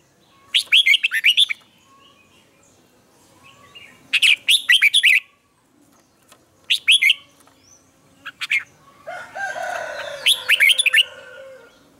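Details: Red-whiskered bulbul morning training song: three bursts of quick, bright warbled notes separated by quiet pauses, then a final phrase over a rising rough, noisy background.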